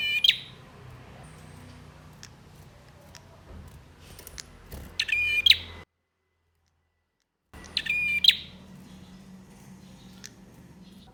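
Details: Singing male bar-winged prinia, played to rouse birds that have stopped singing: three widely spaced, buzzy rattling trills over steady low background noise, with a sudden silent break midway.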